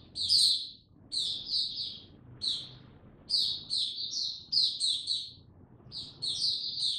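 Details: Kept Oriental white-eye (Mata Puteh) starting its song slow and easy, 2 May 2022. Bursts of high, thin twittering chirps come in clusters separated by brief gaps, over a faint low background hum.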